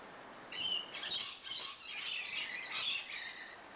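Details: Rainbow lorikeets that have just moved in, showing lively behaviour: a few seconds of distant, high, scratchy screeches and chattering in overlapping bursts, over a soft background hiss.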